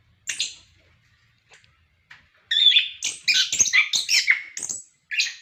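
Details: Captive orange-headed thrush singing a song used to encourage other birds: a single high note, quiet gap, then a lively run of scratchy, warbled and whistled phrases.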